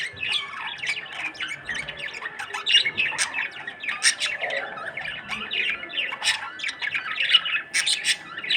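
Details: A pet budgerigar calling at aquarium fish chatters steadily with rapid squawks, chirps and warbled notes.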